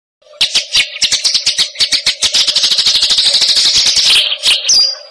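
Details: Eurasian tree sparrow in fighting style, a fast, tight, single-note song: sharp high chirps that speed up into a dense rapid chatter of about forty notes, ending in a thin whistle, with a steady low hum beneath.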